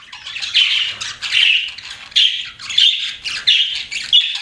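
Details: Pet budgies giving chirps and squawks in short bursts of about half a second, harsh buzzy notes with some clearer whistled tones, repeated roughly every half second.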